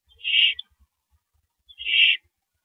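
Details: Owl at the nest at 1:11 AM, April 6 2012, as the male delivers a rabbit: two rough, hissing screech notes a second and a half apart in a quiet night.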